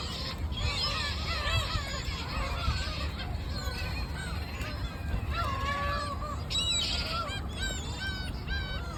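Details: Seagulls calling at the sea: many overlapping mewing and yelping cries, some rising then falling, from several birds at once, over a steady low roar of wind or surf.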